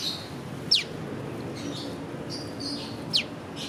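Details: Prenjak lumut prinia giving sharp descending piw notes, two clear calls about two and a half seconds apart, with fainter higher chirps and soft background hiss between them.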